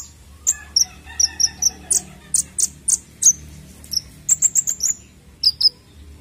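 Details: Konin bird lure sound for untrained birds: a lively series of high, sharp chirps and chips, irregularly spaced, some in quick clusters of four or five notes.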